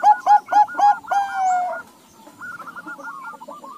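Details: Zebra dove, crossbred from Bangkok and local stock, with other doves replying. Four quick hollow coos are followed by a long drawn coo, then a fainter chorus of rippling coos from other doves.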